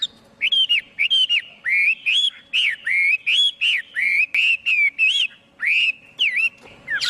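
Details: Chinese hwamei singing with no background sounds: a steady series of clear, rounded whistles, each swooping up then down, repeated about twice a second with sharp high flourishes between.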